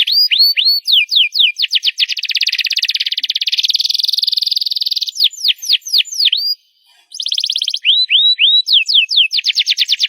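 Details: Canary in loud song: quick rising notes and falling slurs, a long dense buzzing roll, more down-slurred whistles, a short gap, then further trills and curved notes.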